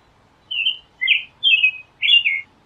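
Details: American robin singing: four clear whistled phrases, each about a third of a second, rising and falling in a caroling pattern, evenly spaced about half a second apart, on a quiet background.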